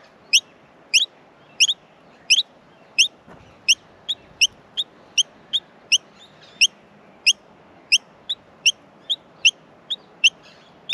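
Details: Australian miner nestlings begging while being fed in the nest: sharp, high chirps repeated steadily, roughly one every half second to second, over a faint low background hum.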